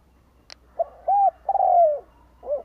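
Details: Decoy Spotted dove calling to attract wild birds: a sharp click, then a soft note, an arched coo, a long drawn descending coo and a fainter final coo.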